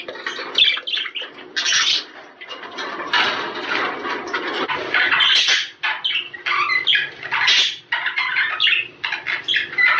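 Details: Budgerigar squawks and chattering played to prompt mating, harsh grating notes mixed with chirps and short warbles in uneven bursts, some broader noisy stretches underneath.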